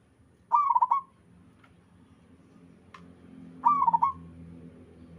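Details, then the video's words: Local zebra dove in full song: two short phrases of fast, bubbling, gently trilled coos about three seconds apart, with faint clicks and soft low background noise between them. "Suara burung perkutut lokal alam gacor sekali putar lainnya ikut nyahut"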